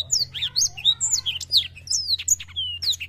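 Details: Black-throated canary in constant song, meant to spur young birds into singing. Dense high whistled slurs and twittering notes follow each other quickly, ending with a drawn-out pure whistle and a sharp chirp over a low background hum.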